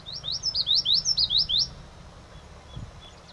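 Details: Common yellowthroat giving one loud, clear song burst of about eight rapid, high, swooping notes in under two seconds, then quiet with faint distant chirps against a soft low rumble.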